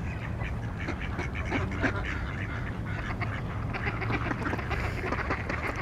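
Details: Ducks in a flock at Beacon Hill Park in Victoria, British Columbia: a busy chorus of overlapping quacks and nasal calls, some ducks calling at once, over steady background noise.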